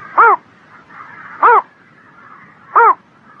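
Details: A bird in the spring morning repeats a short, raspy, arched call three times, evenly spaced about 1.3 seconds apart, with a faint murmur in the background.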